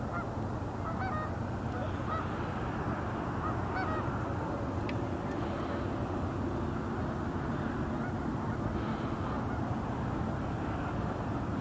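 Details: Hundreds of Canada geese with other waterbirds at Douglas Point Park: scattered short honks from many birds rising above a dense, constant wash of low rumbling noise.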